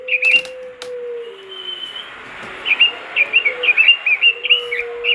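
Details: Robin singing in full voice as a master recording to set off other robins: short warbled bursts at the start, a long thin whistle, then a lively string of rapid slurred phrases, with a lower steady whistled tone underneath and a few clicks.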